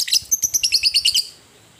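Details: Fighting lovebird giving a long ngekek: a rapid run of about eleven sharp, high, chattering notes in just over a second, evenly spaced, then quiet.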